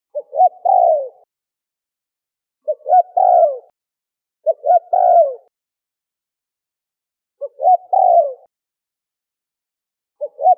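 A turtle dove gives soft, low cooing phrases: two short clipped notes, then a longer falling coo, repeated every two to three seconds against silence.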